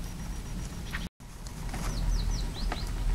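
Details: Four or five thin, very high, slurred call notes from a coal tit in quick succession, over a steady low rumble of traffic or wind; recorded 1 February 2009.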